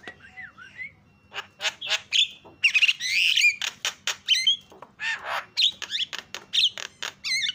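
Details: Javan myna squawking used as a lure so other mynas start calling: a rambling mix of harsh squawks, rasping bursts and twisting whistled slurs, irregular and loud, over low background hum.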